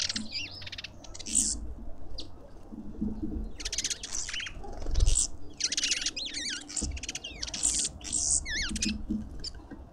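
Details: Suburban garden feeder in Pretoria, South Africa, with lovebirds making bursts of gritty, shrill squawking broken by short zigzag chirps every second or two, plus some low thumps and background hum.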